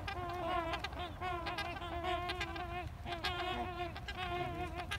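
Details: Trumpeter swans in a heated, possibly aggressive exchange trade nasal, buzzy, horn-like calls that waver in pitch and run almost without pause, overlapping in a noisy back-and-forth, with occasional clicks.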